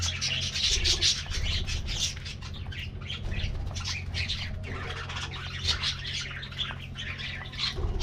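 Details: Budgerigars in an aviary colony during a morning diet treat: continuous loud chirps and squawky chatter from many birds, with short sharp notes packed closely, over a droning low hum.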